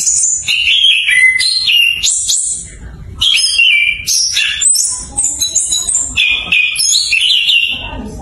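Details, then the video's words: Chestnut-capped thrush (anis kembang) learning to sing its full open 'ngeplong' song, used as a prompt for birds that stop singing: rapid, varied high whistled and chattering phrases that jump between pitches, with short pauses. "PANCINGAN ANIS KEMBANG BELAJAR NGEPLONG"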